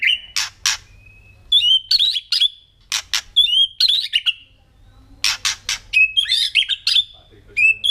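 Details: White-rumped shama of genuine forest origin singing: clear whistled notes, some sliding upward, alternating with harsh broadband chack bursts, delivered in quick phrases with short pauses between.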